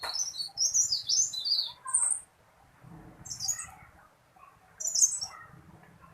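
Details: Tailorbird singing actively in Indonesia, a small bird whose voice is loud, long and rolling: bursts of sharp, high chirped notes in quick series, short pauses between phrases, a faint lower twitter underneath.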